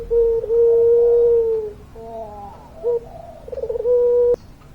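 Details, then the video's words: Long singing from a puter pelung dove. It opens with a sustained low coo of about one and a half seconds, then breaks into short quavering notes and ends on another long, steady coo, followed by a sharp click. "Puter Pelung Gacor Suara Panjang, Manggungnya Bikin Adem"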